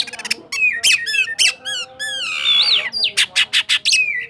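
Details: White-rumped shama of the cakrawala type from Sukabumi delivering roll tembak song: rapid ticking notes, then a run of rising whistled slurs, a long warbled phrase and crisp repeated chips.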